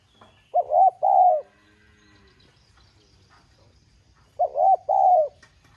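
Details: Calling spotted dove in the 'giọng son' style, used to provoke other doves to coo: two hollow phrases, a stuttered double note then a drawn-out falling coo, separated by about four seconds of near silence.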